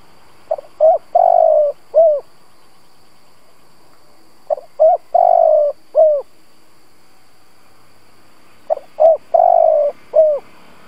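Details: Decoy spotted dove used to lure and excite other doves, repeating its cooing phrase three times roughly every four seconds: clipped opening notes, one drawn-out low coo, and a brief dropping final note.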